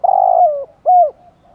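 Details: Spotted dove coo used to rouse decoy birds. A long, soft hollow note sliding slightly downward is followed by a shorter, rounded coo, both deep and clear against near silence.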